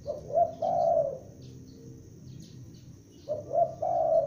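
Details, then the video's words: Lure-bird spotted dove, a juvenile, calling loudly: one coo phrase at the start and another after a pause of about two seconds, each short notes building into a long mellow coo. "Tekukur Pikat gacor anakan Berbunyi Memanggil"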